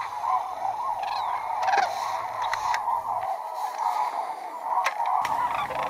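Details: A flock of White-naped cranes at Junam Reservoir, South Korea, feeding in fields beside the water and flying overhead. Many overlapping, honking trumpet notes form a steady chorus, with some sharper clicks above it.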